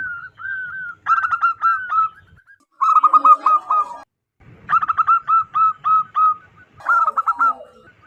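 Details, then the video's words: Wild local zebra dove, a loud, strong-voiced caller used as a lure for trapping zebra doves; four bursts of rapid, evenly spaced cooing notes, each run of about five to seven notes, with faint low rumble between bursts. "PERKUTUT LOKAL ALAM GACOR SUARA BESAR DAN LANTANG COCOK BUAT PIKAT BURUNG PERKUTUT"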